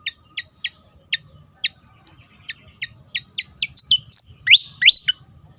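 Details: Javan fantail song: a run of sharp, high ticks that quicken and crowd together, then break into loud, downslurred whistles and twisting notes near the end, with a faint low rumble beneath.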